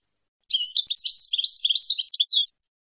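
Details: European goldfinch song from the 2022 season, used to teach young goldfinches their song: a high, rapid twittering phrase of bright chirps and short tinkling notes lasting about two seconds, ending in a falling note, against a clean silent background.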